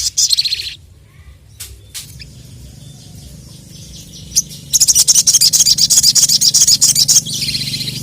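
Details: Crested jay calling out rivals, a brief buzzy burst followed by quiet, then a fast, even rattling chatter of harsh clicking notes lasting nearly three seconds, ending in another buzzy burst.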